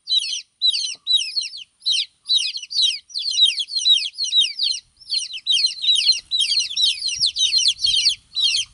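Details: Baby chicks chirping nonstop, a dense stream of high, sharp peeping notes, several birds overlapping, about two per second with brief pauses.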